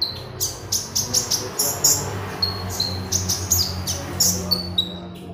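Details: Konin-type Oriental magpie-robin singing hard, a lure sound for training other birds: rapid series of shrill high chirps and thin level whistles, roughly three per second, above a low continuous hum.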